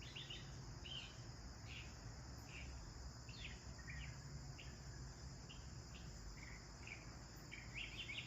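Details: Several bathing sparrows chirping: faint, short, scratchy tweets repeated roughly every half second to second throughout, behind a constant low rumble and high hiss.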